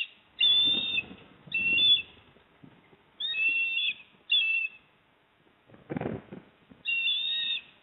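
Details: Osprey nest at Port Lincoln, South Australia, on 28 September 2024, as the male delivers a fish to the female. Piercing whistled calls come in pairs with pauses, broken by a burst of rustling near the end.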